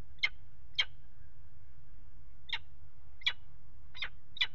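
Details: Peregrine falcons mating on a nest ledge, water tower nest box in Axel, Netherlands, February 2018: six brief rasping calls spaced about every three quarters of a second, low background hum.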